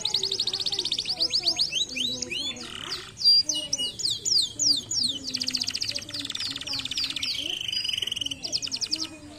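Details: Canary song played to get lazy canaries whistling: rapid rolling trills and repeated downward-swept whistled notes, then a dense buzzy rattle and a steady high tone, delivered continuously and loudly.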